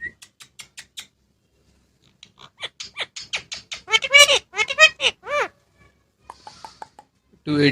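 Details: Pet Indian ringneck parrot talking: soft clicks and ticks, then a burst of rapid, nasal, speech-like syllables with bending pitch. Short squeaks and a louder sound follow at the end.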